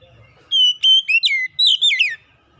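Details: Kacer (magpie-robin) lure song: a loud burst of clear whistled phrases, a steady high note then a quick sweep and falling slurs, about 1.7 seconds long, in quiet surroundings.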